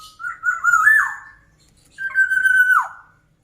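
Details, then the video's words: A black-naped oriole sings two strong phrases about two seconds apart. The first is a rolling, rising warble; the second is a long level whistle that drops steeply at the end. Nothing else is audible. "Kicauan Burung Kepodang Mas Gacor."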